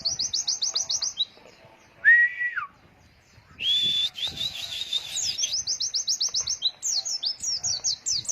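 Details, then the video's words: Training song for young white-eyes in the wild long-breath "wit wit" style: quick high chirp runs, a lower sustained whistle, a pause, a long wavering whistle, then fast repeated sharp chirps to the end. "PLECI NGALAS WIT WIT NAFAS PANJANG"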